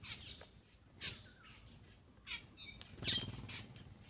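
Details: Black-winged myna feeding, giving brief scratchy bursts and chattering notes with a short whistled phrase, spaced irregularly over soft background hiss.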